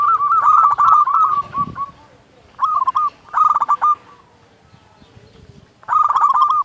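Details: Loud local zebra dove, kept to coax other doves to sing, delivers rapid rolling cooing trills in three bursts separated by brief silences, each phrase a fast stutter of mellow notes ending in a slightly longer coo.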